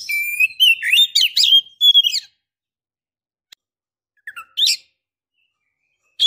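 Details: Female Oriental magpie-robin in breeding condition calling a male: a long sustained whistle followed by rapid warbled, rising and falling notes, then silence and a few short scratchy bursts.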